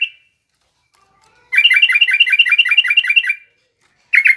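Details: Rough ngriwik chatter from a garuda-type yellow-vented bulbul, played to teach young bulbuls to sing: a rapid, even string of sharp repeated notes lasting about two seconds, then silence, then another fast burst beginning.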